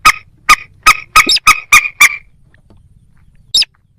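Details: Moorhen, possibly with a little crake: a quick series of seven loud, hard clucks about a quarter second apart, a pause, then one final higher sharp note.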